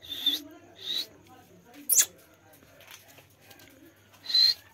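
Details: Parrot from an Indian village on a swing, giving short, sharp, high screeches about once a second, then a pause and one more screech, over a faint low hum.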